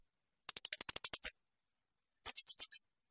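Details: Shrill 'tembakan melengking' bursts of a blue-crowned hanging parrot used to tutor songbirds: a fast string of about ten piercing high notes, a pause, then a shorter run of five, no background noise.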